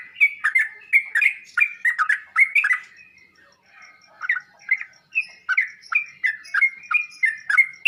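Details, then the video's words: Sooty-headed bulbul song for prompting caged birds to answer: rapid chattering notes at first, a short silence midway, then a steady series of crisp, falling chirps close together. "Burung trucuk anda bakal nyaut dan ngropel seketika saat di masteri dengan suara trucuk ini"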